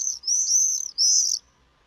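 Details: Swift, a summer migrant nesting on a street in the Birmingham and Black Country area, giving its high-pitched scream: two shrill, buzzy, sustained screaming bursts in quick succession, then quiet.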